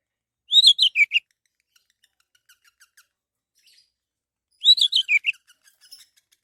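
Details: Orange-headed thrush song used as a lure to draw other birds into singing: two short rich phrases of warbled whistles falling from high to lower, separated by about three seconds of near silence with faint distant chirps.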